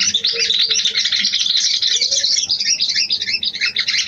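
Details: Mating call of a female sooty-headed bulbul drawing in a male: a dense, unbroken high chattering warble with no pauses.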